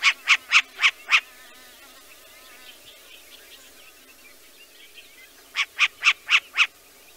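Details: Short-eared owl (Asio flammeus) giving two quick runs of five harsh, raspy barks, about four per second, with a few seconds' pause between runs over a faint hiss.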